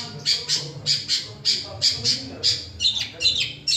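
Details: Long-tailed shrike mimicking other birds' songs. It gives high, harsh chirping notes in pairs, repeated about every half second, over a low murmur of human voices.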